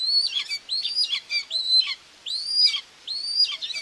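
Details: At a webcam-watched nest in Tiszalök, Hungary, on June 2, 2024, a common buzzard mother feeds two chicks; high, thin, down-curving whistles follow each other quickly, about five in four seconds.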